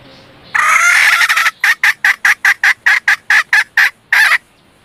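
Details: Red junglefowl hen kept as a decoy to lure males: one long harsh, buzzy note, then a quick run of about eleven short, sharp clucks, roughly three each second, ending with a longer rasping note. Background is quiet.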